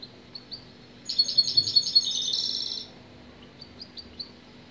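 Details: A European goldfinch gives scattered single chirps, then one quick phrase of about eight bright, tinkling notes that merges into a short buzzy twitter. Isolated high chirps follow over a soft constant hum.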